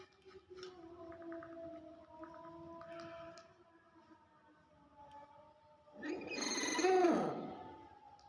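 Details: Common hill myna (beo) that keeps talking and coughing: a series of low, voice-like harmonic tones held for about a second each, then a loud, rough, noisy burst near the end, like a cough.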